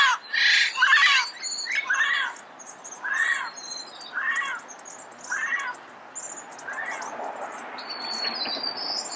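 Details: Red-crowned amazon recorded in Pasadena early in the morning: two loud harsh screeches, then repeated shorter squawks sliding downward in pitch, fading, with faint high bird chirps throughout.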